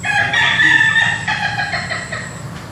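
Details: Ayam Ketawa, the laughing chicken, crowing on an afternoon in a garden: a loud, rich, harmonic crow broken into a rapid stuttering series of segments like laughter, fading toward the end over a low background rumble.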